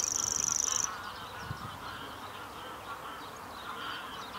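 A Grasshopper Warbler's high, dry, insect-like reel runs for under a second, then stops. Geese or ducks honk and babble in the background.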